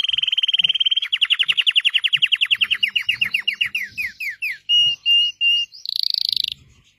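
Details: Red Belgian canary delivering a loud, fast trill that slows into separate sweeping notes, followed by three flat whistles and a short high buzzy burst.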